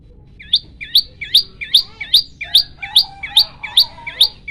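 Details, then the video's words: Caged olive-backed tailorbird singing its 'shot' style variation: a steady series of about ten sharp, high, snapping notes at a regular pace. Softer lower whistles join partway through, over faint low background noise. "burung prenjak lumut gacor - suara tembakan variasi"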